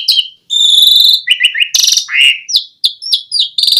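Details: Asian pied starling singing as a lure for starlings: a sustained whistle, a harsh buzzy burst, rising scratchy notes and short repeated downslurred whistles.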